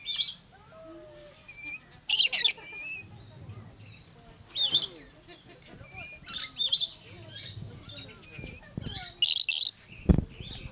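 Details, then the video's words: Yellow-streaked lory, a parrot, calling at Lion Country Safari in South Florida: scattered harsh, high screechy bursts and squeaky chatter separated by pauses, with faint background voices and noise. "Yellow Streaked Lory Singing"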